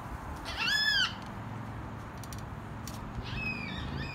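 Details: In a backyard, a yellow-tailed black cockatoo gives one drawn-out, wailing call that rises and falls, followed by softer, thinner calls against a low background rumble.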